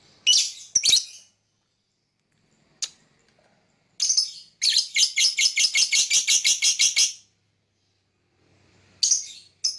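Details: Lovebird singing and chirping: harsh, high chirps in short bursts, then a fast run of about fourteen evenly spaced buzzy chirps lasting three seconds, with silent gaps between bursts.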